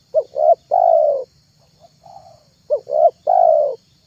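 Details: Spotted dove lure calling: two brief notes then a long falling coo, a soft quieter note between, repeated twice, steady faint background hum.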